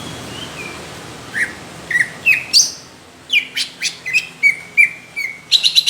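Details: Caged greater green leafbird in competition-quality song, described as rough and thick: scattered whistled and chirped notes, slurred downward phrases near the middle, then a quicker run of sharp repeated notes toward the end.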